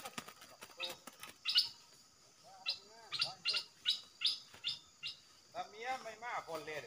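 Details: Caged red-whiskered bulbul taken out to the forest as a decoy, singing phrases nonstop while bold wild birds come down to fight; busy overlapping chirps, sharp high notes and lower warbled downslurs repeated in quick bursts.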